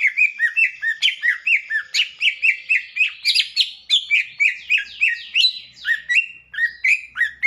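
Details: Cucak ijo pouring out a rapid, continuous song of bright whistled and chattering notes, roughly three per second, varied sweeps jumping up and down with sharp overtones, lasting the full seven seconds.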